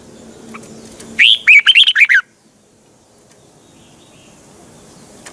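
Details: A single rapid phrase of six or seven bright, slurred whistled notes from a caged red-whiskered bulbul in a twisting double-voiced morning song for training birds, then several seconds of quiet.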